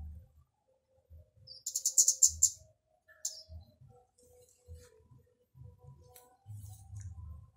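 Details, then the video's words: Loud song of a flowerpecker, used as a lure to get others singing: about eight rapid, sharp high-pitched ticks in one run, then one lone tick, with scattered low thumps in the background. "Kicau Burung Kemade atau Burung Cabai Gacor"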